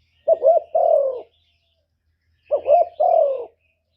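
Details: Two cooing phrases from a decoy spotted dove used to draw wild doves, each a quick double-wavering hoot running into a long mellow descending coo, separated by over a second of quiet.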